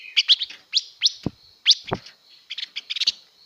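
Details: Female blue-winged leafbird singing to excite males: irregular sharp rising chirps and clustered squeaky notes, mixed with a couple of low thumping knocks.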